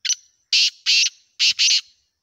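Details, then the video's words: Pakistani black francolin, called desi kala teetar or Kohati teetar, gives a harsh rasping phrase: a brief opening note followed by two doubled, scratchy bursts over about two seconds, with no other sounds. "Hanguwal Desi Kala Teetar ki Awaz | Pakistani Black Partridge Sound | Kohati Teetar Black Francolin"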